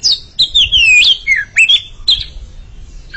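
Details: A pair of Oriental magpie-robins singing back and forth, long liquid whistles gliding downward then rising, followed by shorter whistled phrases and a fading pause.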